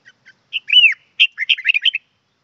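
A red-whiskered bulbul sings a brief, bright phrase: a few soft chips, a clear arched whistle, then a quick bubbling run of liquid notes.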